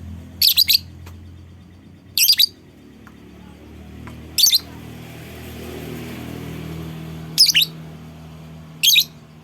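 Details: Five shrill, rasping lovebird call bursts, each a quick cluster of high squeaky notes, spaced roughly every one and a half to two seconds; the call is meant to lure other lovebirds into sounding off, with soft room hum between bursts.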